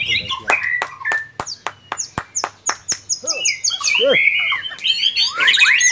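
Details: White-rumped shama from an online singing contest opens with a string of sharp clicking notes, roughly three a second. It then breaks into loud, tumbling whistled phrases and swooping notes.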